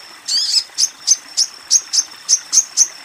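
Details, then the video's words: Female Ruby-cheeked Sunbird calling to a male: a rough, buzzy opening note, then about seven sharp, high chirps spaced roughly a quarter-second apart, each with a thin sustained tone between them. Faint background hiss. "Sogon BETINA Memanggil Sogon JANTAN"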